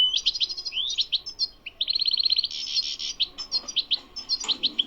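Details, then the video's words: Wild goldfinch in bitbita song: a quick series of twittering chirps, then an even fast trill, a buzzy rasping section and more liquid twitters. Light background noise is present. "#بتبتات_الحسون #بتبتة #تغريد_الحسون #حسون_خلوي #حسون_بري"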